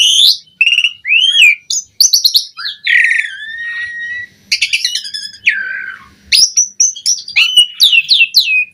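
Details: Asian pied starling singing abundantly as master audio for training birds: long gliding whistles, rising and falling slurs, mixed with grating squawks and quick chatter, varied and almost unbroken.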